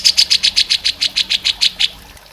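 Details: Grey-cheeked bulbul (cucak jenggot) model song for training songbirds: about fourteen bright, evenly spaced chirps in two seconds, fading out at the end.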